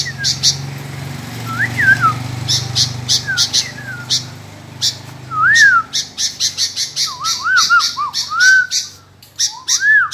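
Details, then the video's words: A vocal sooty-headed bulbul (kutilang) gives short looping whistled notes and a run of quick wavering whistles near the end. A low steady hum and rapid clicking ticks run underneath. "BURUNG KUTILANG GACOOR"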